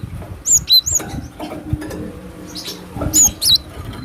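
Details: Wild cinereous tit lure call: two short phrases of a high level whistle dropping to a lower note, spaced about two and a half seconds apart, over crackling noise and low hum.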